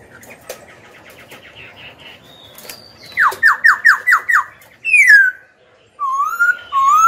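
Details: Black-throated laughingthrush, a young singer, used to stir rival birds to fight and teach young birds: soft rapid notes build into a loud series of five downslurred whistles, then long falling and rising whistles.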